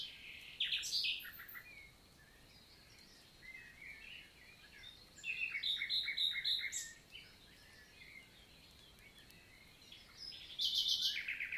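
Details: Wild common nightingale singing in morning summer countryside forest, Lot, south of France, June 2023; several loud bursts of fast repeated pulsed notes separated by softer twittering phrases from the forest.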